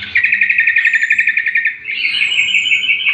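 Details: Greater green leafbird (cucak kombo) on a training recording for other birds: a fast, even trill of repeated notes for about a second and a half, then a slightly higher buzzy trill, with a faint high whistle over it.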